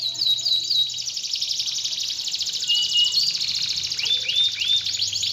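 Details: Canary song used as a lure to stir a lazy, silent canary into singing again: a dense, unbroken high trill of rapid buzzy notes, ending in a few quick rising-and-falling whistled sweeps.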